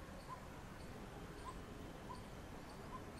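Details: A pair of coppersmith barbets going to feed their chicks, filmed from a house rooftop: hollow, metallic mid-pitched 'tuk' notes about a second apart, over a steady low hum.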